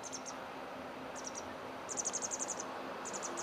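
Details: Pied wagtail (Motacilla alba yarrellii) chick in Exeter begging as its parents feed it: very high, thin, rapid notes in short bursts of three to eight, over a steady background hiss.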